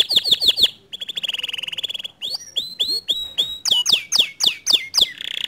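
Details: Canary singing in a recording intended to provoke a lazy, quiet canary into singing. Four quick descending whistled notes are followed by a long, fast, buzzy trill. Then come upward-sweeping chips and a run of rapid, repeated falling whistles.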